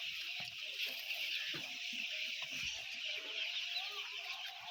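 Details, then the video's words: A flock of about ten thousand white chicks, their high, shrill peeps merging into one dense, constant chirring chorus over a few seconds. "10000 White chick's 🐤"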